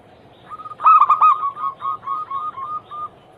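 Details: Zebra dove song used to prompt other doves to sing: a loud, buzzy rolling opening followed by a fading series of short coos repeated about three times a second.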